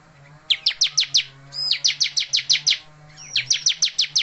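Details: Bar-winged prinia singing persistently despite being bondol, with three bursts of rapid, buzzy, evenly repeated notes, each led by a thin high whistle, over a steady low electrical hum.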